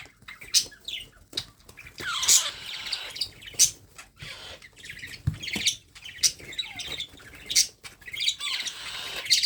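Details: Baby parrot at feeding time with sharp, piercing chirps and scratchy squawks, coming every second or so in irregular clusters.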